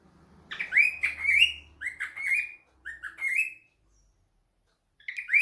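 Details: During a phone call, a pet cockatiel utters a run of rising chirps in groups, separated by a brief silence before two final upward calls, with a faint low hum underneath.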